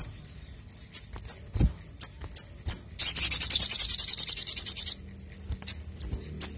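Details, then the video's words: Brown-throated sunbird (sogok ontong) singing loudly and clearly, a song used for luring and training: high thin chips repeated several times, then a rapid buzzy trill lasting about two seconds, followed by a few more chips. "Sogok ontong Gacor Dor N3mbak Suara Jernih Untuk Pancing Bunyi & Masteran"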